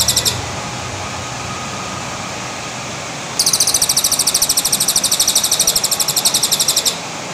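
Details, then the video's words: White-rumped shama trotol-style song used as a lure: a brief burst, then after a pause a fast, even run of high, sharp repeated notes, about ten per second, lasting some three and a half seconds over a faint steady background hiss. "PANCINGAN TROTOL MURAI BATU PALING AMPUH"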